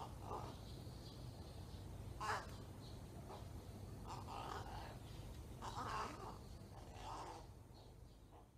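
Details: Fledgling crow practicing odd calls that sound almost like speaking: a run of hoarse, throaty, varied syllables, some breathy and clipped, delivered irregularly with low steady background rumble.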